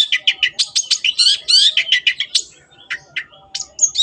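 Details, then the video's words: Long-tailed shrike (cendet) in full, lively song meant to tutor kept birds: a rapid dense chatter of high scratchy notes, then a pause and a few separate sharp whistled and buzzy notes. "MASTERAN BURUNG CENDET GACOR"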